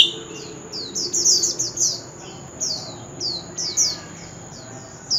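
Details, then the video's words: Male White-rumped shama in a singing contest: a series of short, high, downslurred chip notes with brief bright warbles, spaced irregularly, fairly quiet. "Chòe Than Trống Hót Liên Hồi – Âm Thanh Chuẩn Giọng Rừng - Chích Chòe Than Hót Đấu"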